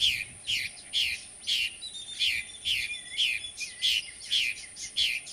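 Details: Purple martin (Progne subis) breeding colony nesting in plastic gourds under a martin house, San Benito, Rio Grande Valley, Texas, 26 May 2014: several birds overlapping rich, gurgling chirps about twice a second over a steady high whine.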